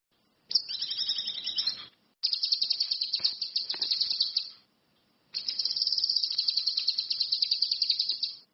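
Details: Orange-headed thrush in full, lively song: a short descending warble, then two long bursts of rapid, high, buzzy chattering notes, separated by brief silences, with faint background hiss.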